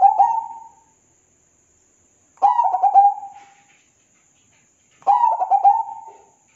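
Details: Zebra dove cooing: three bubbly, rolling coo phrases about two and a half seconds apart, each opening with clipped notes and trailing off softly, with silence between and a faint constant high tone.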